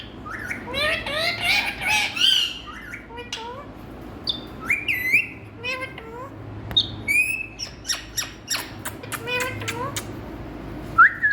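A rose-ringed parakeet gives bursts of harsh squawks and rapid chattering, speech-like phrases with sharp rising and falling notes, over a low indoor hum.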